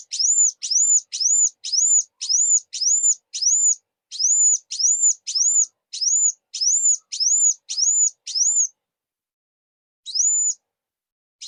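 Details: Sunbird (burung kuwul) in song and calls: a steady series of about eighteen high, thin arched whistles at roughly two per second, each swooping up then down, followed by a pause and one final whistle.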